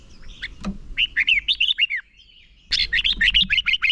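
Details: Decoy red-whiskered bulbul giving a contest-style fighting song meant to rouse other birds; two bursts of quick, slurred whistled notes, the first near one second, the second after a short pause, with faint distant chirps.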